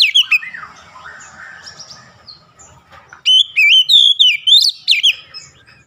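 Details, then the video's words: Oriental magpie-robin (kacer) singing: soft, varied whistles and chatter, then a loud burst of bright, rapid whistled phrases, each slurring up and down. "KACER SETRES LANGSUNG GACOR"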